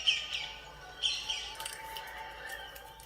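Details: Pet rose-ringed (Kramer's) parakeet indoors gives two sharp, shrill squawks about a second apart, then softer chattering notes over a quiet background; the bird is called a fighter that aims at the eye, and it startled itself.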